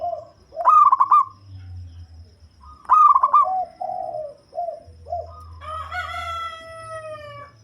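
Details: Deep-voiced local zebra dove, a bird suited to luring others: two rapid, bubbling coo trills, each trailing into lower coos, then a longer, harmonic-rich note slowly sliding downward. A soft low hum continues in the background.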